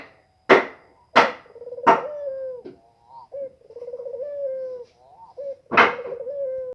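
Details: Spotted dove about to lay eggs, cooing low with a trembling, rolling phrase and short clipped notes, amid several loud sharp taps or knocks before and after.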